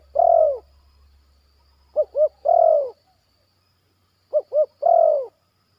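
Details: Calling zebra dove, a bird in training kept in a yard, giving a drawn-out descending coo, then a twin short hooted notes and another long coo, the pattern repeated with pauses; faint low hum early on.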